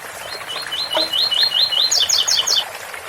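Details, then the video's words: Singing double-collared seedeater, ouro fino style, roughly 7x4: seven upward-sliding whistles in a quick even series, then four sharp higher paired notes, with fountain water trickling behind. "Coleiro ouro fino 8x4 - 7x4 com som de fonte de agua"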